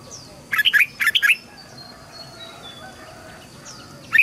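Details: Red-whiskered bulbul voice training for young birds and newly caught birds. Two rapid bursts of three or four warbled notes, then a pause with faint high whistles, and a single note at the end.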